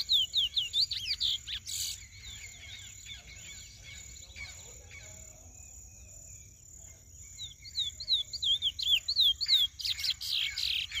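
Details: Lesser seed-finch, a young brown bird in its first moult to black, sings rapid runs of sharp whistled up-and-down notes. The runs come in bursts at the start and end with a quieter gap between them, over a steady high insect-like tone.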